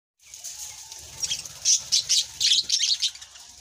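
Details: Birds chirping: a busy run of high, sharp chirps and squeaky notes that grows louder after the first second, with bursts bunched through the middle and a faint low rumble underneath.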